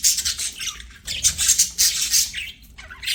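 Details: Pet budgerigars singing while playing, a dense scratchy chatter of squawks and chirps in bursts of about half a second to a second, broken by short pauses, with faint low background hum.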